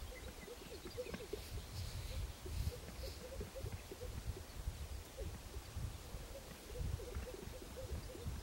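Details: About 30 male greater sage-grouse display on a lek in the Upper Lemhi Valley, Idaho, around 5:30 am on 13 May 2011, giving overlapping soft bubbling pops about every half second over a low, steady rumble of wind.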